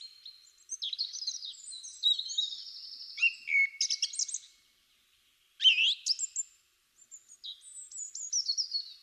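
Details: A male Song Thrush, an early spring singer, sings loud, high, varied phrases with brief pauses between them, each phrase typically repeated two to five times before the bird moves to a new one.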